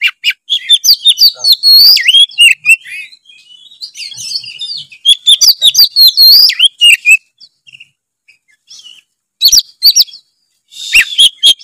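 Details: Lively white-rumped shama song meant to trigger other shamas into song; rapid cascades of clear whistles, downslurred notes and crisp ticks in dense bouts, then quieter gaps and a final short burst.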